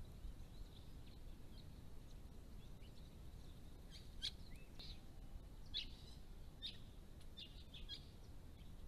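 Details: Large flock of White-browed woodswallows at a pond in December 2016: soft scattered chips and brief buzzy notes, clustering in the second half, with one short rising whistle, against a hissing low background.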